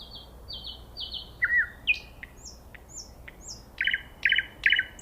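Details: Nightingale song in quiet surroundings: drawn-out level whistles, then a run of separate high downslurred notes and short trilled bursts repeated about every half second.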